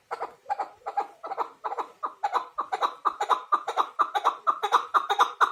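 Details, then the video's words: Chukar partridge giving a loud, steady series of clucking, chattering notes, roughly two per second, growing faster and more insistent toward the end, close and indoors-sounding. "Кабки шикори Куропатка Kaklik Keklik Partridge الحجل کبک"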